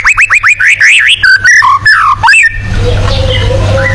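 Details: Tembakan song of a white-rumped shama, the style used for competition birds: rapid repeated rising notes, then looping whistles and swoops, then the song stops and only a steady low hum and faint background sounds remain.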